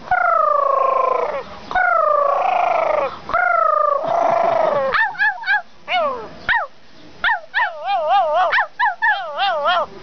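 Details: Talking pet crow addressing its owner: several long, loud falling notes like drawn-out words, followed by quick bursts of trilled, wavering syllables repeated in rapid succession.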